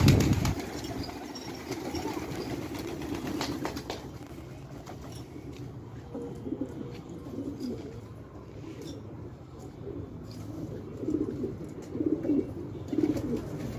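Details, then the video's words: Village fighting pigeons at Khanabad, Afghanistan, with a thud at the start, then deep, throaty coos rising and falling in short bouts over a low room hum. "کفتر های جنگی پرشی در خانه آباد"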